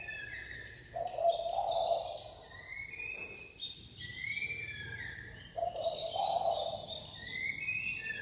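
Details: White-rumped shama song with repeated low rich warbles alternating with higher sliding whistles and thin twitters, phrases recurring about every two to four seconds.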